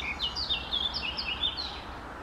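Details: Eurasian blackcap song made of bright, tumbling high notes in a fast, varied warble that keeps going without pause, with faint low rumble behind.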